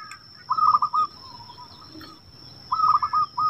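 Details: A wild local zebra dove, used as a lure for caged doves, gives soft, rolling coos in quick stuttering bursts, one phrase then a second after a short pause, over a steady high insect-like whine.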